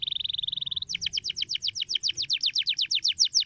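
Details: Canary song for tutoring young canaries: a short fast pulsing trill, then a lively run of crisp downslurred chirps, about six per second.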